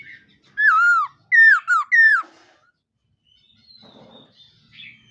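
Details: Morning voice-training song of a khướu mun laughingthrush: four strong, rich whistled phrases, each sliding downward, given in quick succession, then a thin high note and soft rustling.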